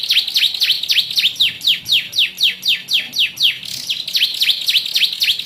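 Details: Yellow canary singing with ciblek-style notes: a fast run of bright, downslurred whistles, about four a second, evenly repeated, then a busier warbling burst at the end.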